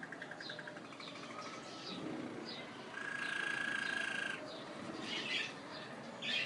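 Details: Waterslager canary singing: varied song with a long steady pure-toned held note, bubbling rolled passages and brief high trills, over a constant hiss of background noise.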